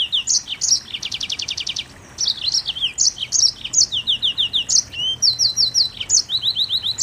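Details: Mozambique canary delivering 'nembak rapat' song: a rattling buzzy trill opens, then a brief pause, followed by quick runs of bright chirps, descending twitters and a short whistle.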